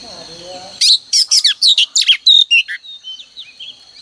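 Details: Decoy female oriental magpie-robin song meant to rouse males to sing in the morning: a soft low murmur first, then quick bright whistles and twisting chirps, fading into softer descending notes.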